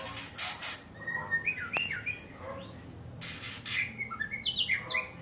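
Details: White-rumped shama kept and cared for by a keeper: scattered clear whistled notes sliding up and down, broken by several short noisy rustling bursts.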